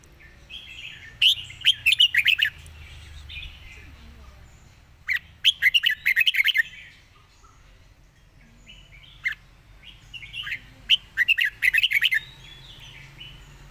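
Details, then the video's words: Red-whiskered bulbul singing a rapid 'fast-beak zone' style song: four bursts of quick, bright warbled phrases with sharp clicking notes, around 1, 5, 9 and 11 seconds, separated by near-quiet gaps with a low background hum. "ทีเด็ดเพลงโซนปากไว เพลงรัวๆ"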